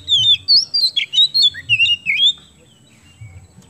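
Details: Singing Oriental magpie-robin (kacer) from Indonesia, used to draw song from other birds: a fast, varied string of sweet whistles and harsher chattering notes for about two seconds, followed by quiet with a low background hum.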